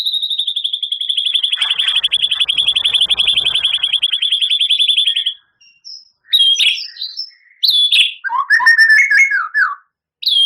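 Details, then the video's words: Champion White-rumped shama firing a sustained, piercing rapid trill on one high pitch for about five seconds, followed by scattered whistles and tumbling warbled notes. "Suara Murai Batu Juara,Tembakan Murai Batu Gacor Full Isian Kasar Panjang Mewah"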